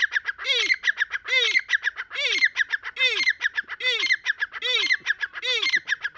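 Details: Breeding-season call of a Deccani grey francolin: a steady series of harsh, grating phrases, each opening with a low curved note and running into quick scratchy notes, repeated a little under once a second.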